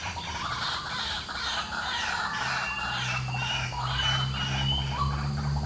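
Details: White-breasted waterhen calling in the morning: harsh, croaking notes repeated about twice a second in a rough, noisy run, with a thin whistle from another bird and a steady low hum in the background.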